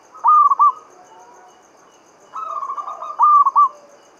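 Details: Local Javanese zebra dove singing in the Mataram standard rhythm, used as a lure to get lazy doves calling. A stuttering trilled coo leads into a loud, clipped three-note phrase, repeated twice, over a faint steady high ticking.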